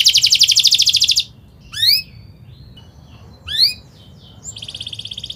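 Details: Canary song meant as a lure for young learning canaries: a dense high trill, a pause with two loud rising chirps, then the rapid rolling trill resumes.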